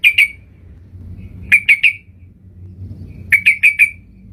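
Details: Sooty-headed bulbul trapping-lure call: short clusters of two to four crisp, bright notes with long quiet gaps between them, over soft low background noise.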